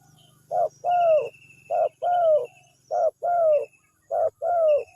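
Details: Spotted dove lure call that draws an immediate response; loud paired coos around 600–700, a short note then a longer falling one, repeated about every 1.2 seconds, with faint higher bird chirps in the background.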